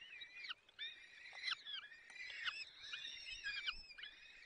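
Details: Peregrine falcon nest in the Barycz Valley, Poland, 30 April 2020 at 14:28, as the male arrives with prey and feeds the chicks: drawn-out harmonic squealing calls with downward-bending ends, repeated back to back, over faint background hiss.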